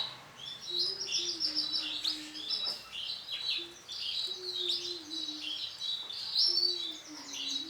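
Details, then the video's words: Male canary with orange sunkist plumage singing: bright, high warbled trills and rapid chirping phrases in bursts, over a lower steady hummed tone that returns three times. "CANARY JANTAN WARNA ORANGE SUNKIST"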